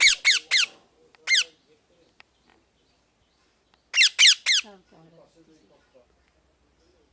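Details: Harsh, falling parrot squawks come in clusters of two or three with quiet gaps between them. Faint low murmuring follows the later group.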